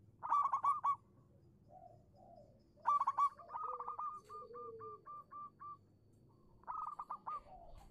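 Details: Singing local zebra dove serving as a lure for doves that will not sing: strong staccato bursts of whistled coos, one followed by a steady chain of softer evenly paced notes, while a lower slurred cooing sounds faintly behind.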